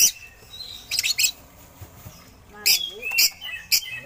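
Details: Oriental magpie-robin song with imitations of eagle calls, meant as a master recording to train other songbirds: harsh bursts of high notes alternating with thin slurred whistles.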